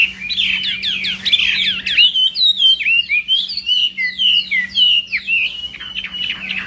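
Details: A Chinese hwamei in morning training for singing contests delivers rapid, varied whistled notes, many sharply descending, in bursts of about two per second, with a constant low electrical hum behind.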